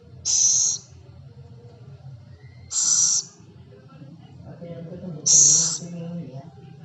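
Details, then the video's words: Scops owl, locally called celepuk or ceguk, giving three loud, breathy hissing bursts about every two and a half seconds, each high and rasping, over a low background hum. "Suara burung hantu celepuk/ceguk"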